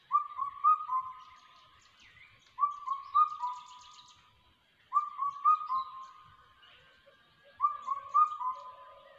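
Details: Crested hawk-eagle chick, ATR forest: four bouts of three or four connected whistles, each bout slightly rising then fading, repeated about every two and a half seconds. Faint other bird chirps sound in the background.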